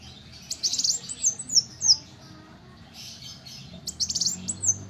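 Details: Little spiderhunter singing high, buzzy trilled bursts mixed with short downslurred whistles, a pause, then another buzzy trill and a final slurred note.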